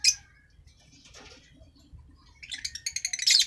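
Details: An African lovebird of the green masked form gives a single sharp squeak, then after a soft rustling gap a fast, rattling run of high chirps that builds in loudness.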